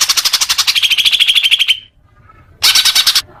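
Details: Greater green leafbird song, played to get caged birds singing fluently: a fast series of high rapid notes sliding into a steady whistled trill, a pause, then another burst of quick buzzy notes.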